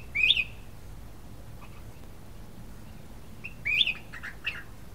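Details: A sooty-headed bulbul singing as a lure gives two short, bubbly warbled phrases about three and a half seconds apart, with a few soft extra notes after the second, over quiet background hiss.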